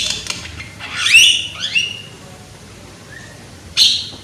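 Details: Young Javan myna (jalak kebo) singing loudly, used as a lure to spur other mynas into song: harsh squawks and downslurred whistles, a burst near one second and a rasping note near the end.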